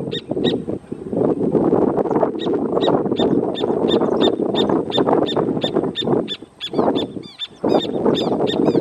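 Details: A pair of Rufous Horneros marking territory in a protected natural area at Gualeguaychú, Argentina, give a fast, shrill series of ringing notes, several per second, over a loud low rumble of traffic or wind.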